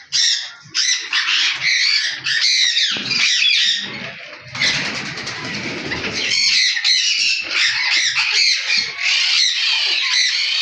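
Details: Alexandrine parakeet, known locally as pahari parrot, giving loud, harsh, high squawks in rapid, overlapping bursts almost without pause; a short rougher, noisier stretch midway, then more grating squawking to the end.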